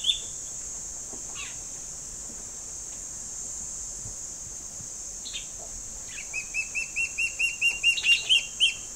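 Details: Two young Gabar Goshawks in a tree awaiting food from their parents: scattered short sharp calls, then a long, even string of about fifteen high piping begging notes swelling toward the end, over a steady high insect drone.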